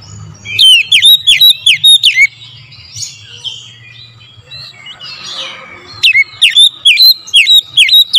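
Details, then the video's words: Oriental magpie-robin singing in the morning, used as a lure song: sharp whistled notes dipping and rising, repeated quickly in two bursts separated by a quieter spell with soft background murmur and low hum. "TERAPI PANCINGAN AMPUH KACER DIPAGI HAR1"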